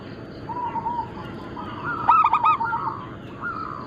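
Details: Local zebra dove of the Bangkok crossing type among a flock. Soft, drawn-out cooing is followed by one louder, bubbling phrase of rapid coos, then quieter notes.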